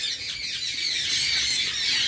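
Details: Captive Indian ringneck (rose-ringed) parakeets, a breeding pair being released into their breeding cage, give harsh, grating, high-pitched squawks that run almost without a break.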